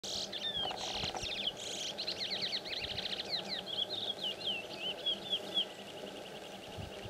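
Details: Chestnut-bellied seed finch, known locally as curió, singing a long varied song of rapid whistled notes, trills and sweeping slurs, with background hiss and faint insect buzz.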